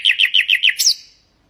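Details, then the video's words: Nightingale song intended for training goldfinch and canary singers: five quick, dry chucking notes, each dropping in pitch, ending in one higher sweeping note that fades. "ساعة من تغريد طائر العندليب الحسنية لتعليم طيور الحسون والكناري بدون أخطاء"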